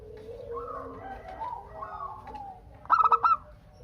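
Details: Zebra dove, a local bird singing lustily as a lure for answering doves: mostly soft, overlapping low cooing from several doves, then one loud burst of four quick stuttering notes near the end.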